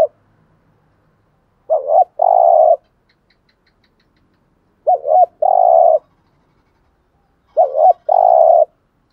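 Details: Coo of a spotted dove in the 'gù thúc' style, used to lure wild doves: three phrases about three seconds apart, each a clipped wavering note then a steady hollow coo, with long quiet gaps and a faint high tick.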